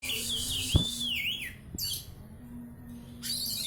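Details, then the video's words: Oriental magpie-robin singing in a ngetrek style, described as fighting: a long clear whistle that rises, falls and swoops, then a pause and a fresh high whistled phrase, over a low steady hum and a sharp knock. "burung kacer gacor ngadu ngetrek"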